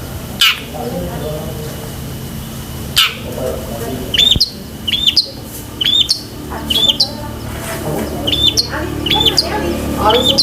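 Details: Long-tailed shrike in energetic song rich in imitated phrases, for training pet shrikes: two harsh rasps, then a run of short sharp whistled notes with upturned ends, quickening toward the close, over low hum.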